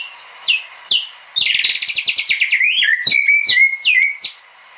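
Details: White-rumped shama, a gacor bird for training, giving sharp down-slurred whistles, then a rapid rattling trill that melts into sweet whistled notes and more falling whistles.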